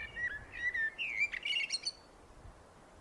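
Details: Common blackbird singing: a mellow warbled fluty phrase running into a squeaky, higher twittering flourish, followed by quiet background hiss.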